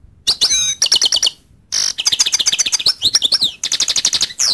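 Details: Lively, almost nonstop goldfinch twittering: trains of fast high chirps, short buzzy notes and wavering slurred phrases, with only one brief pause.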